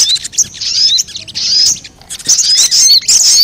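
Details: Sogon calling to attract wild birds: sharp, high twittering phrases with thin whistled notes, a quiet gap near the middle, then renewed busy chatter.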